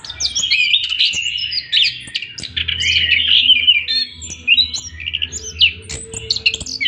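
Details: Orange-headed thrush singing a long rolling song in the 'ngroll panjang' style: a rapid, continuous run of varied high whistles, trills and slurred notes with no real pauses, over a faint low hum.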